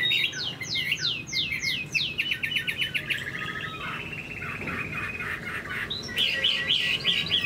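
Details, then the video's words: Moulting Chinese hwamei with a big, attractive build singing high: a series of rapid downslurred whistles repeated in quick runs, then a fast rattling trill, ending with bright, twittering whistled phrases. "Chim họa mi đang thay lông, bộ to đẹp, hót cao cầu"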